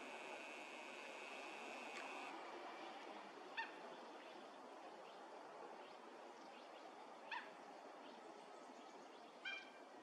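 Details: Wild Mandarin ducks at a neighbourhood pond in January 2021, males displaying to look bigger, coming out of cover during a courtship gathering, recorded from a distance: three brief, sharp whistled notes spaced seconds apart over steady hiss.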